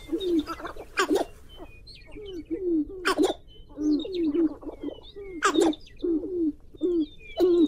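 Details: Black grouse bubbling continuously in low, rolling cooing phrases, broken every two seconds or so by sharp, hissing sneeze-like bursts that rise above it.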